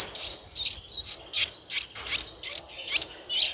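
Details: Eleven-day-old Streak-eared bulbul nestling begging in Ubon Ratchathani, Thailand, on 13 April 2023: rapid run of high, raspy, hissing chirps, about two to three per second, fairly even in loudness.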